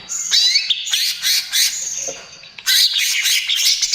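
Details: Greater green leafbird in trotol style, used to lure and calm other birds: harsh, rasping, scratchy phrases mixed with a thin high whistle, then a sudden loud chattering outburst after a short lull.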